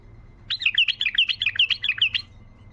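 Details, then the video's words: Bright tayyariyat song from a wild bulbul, played to get silent bulbuls singing: a lively, rapid series of looping whistled notes, steady in pace, about 1.7 seconds long. "طياريات بلبل وحشي لفتح البلابل القافله"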